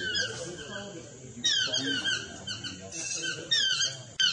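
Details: Chestnut-mandibled toucans yelping in overlapping series of falling, harmonic-rich notes, with several calls piling up closely and a sudden loud yelp at the end.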